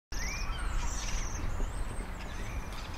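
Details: Waxwing on the Isle of Man giving thin, very high, silvery trills in short bursts, over a heavy low rumble of wind or distant traffic.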